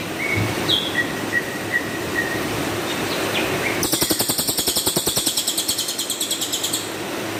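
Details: Rough tembakan kasar singing from a cililin, used as master song for training champion birds: quiet whistled notes over background noise, then a loud harsh rattling volley pulsing rapidly for about three seconds.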